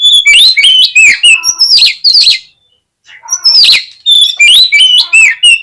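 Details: Kacer, the oriental magpie-robin, singing a provocation song to get lazy birds to open their tails and fight: loud, fast run of ringing whistles and sharp slurred notes, a brief pause, then another energetic, varied burst.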